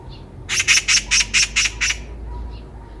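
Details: Eurasian magpie encountered on a walk giving one rapid series of seven loud, rasping chatter notes, then falling silent.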